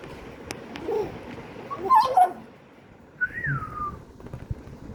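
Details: A pet myna gives a few short, mid-pitched squawky notes, then a clear whistle that rises and slides down over about half a second, with faint background hiss.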